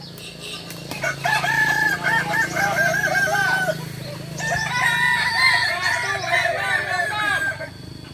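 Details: Training session of Kokok Balenggek roosters in Ampang Kualo, Solok, West Sumatra: two long multi-note crows in succession, each a chain of undulating, stepped syllables, over a steady low background hum.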